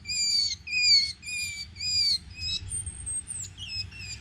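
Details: Tufted Titmouse at a bird-banding station in the Tennessee River Gorge, mobbing with called-in reinforcements, gives three harsh, buzzy scolding notes about half a second apart, then thin, very high whistled notes, over a low background rumble.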